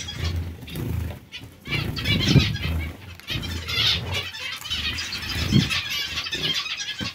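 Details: Colony of zebra finches: scattered nasal beeps and trills over heavy low-pitched fluttering and thumping, likely wingbeats, with bursts of louder calling around the middle and near the end.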